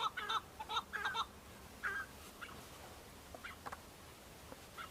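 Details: Chukar partridge males competing and displaying to females during the breeding season on Bamo mountain, Kurdistan: a few loud, harsh chuck notes early on, then fainter scattered calls fading into background noise.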